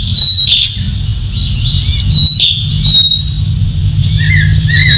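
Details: Masked laughingthrush singing: a sustained high, pure whistle that is held and repeated, mixed with bursts of rapid, squeaky twitters and a few lower slurred notes, over a loud, constant low rumble.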